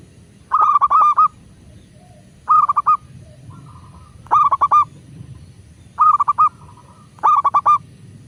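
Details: Zebra dove of local stock, played to make other doves start cooing fast: five phrases of quick, rolling mid-pitched notes, one roughly every one and a half seconds, with steady low background noise between them.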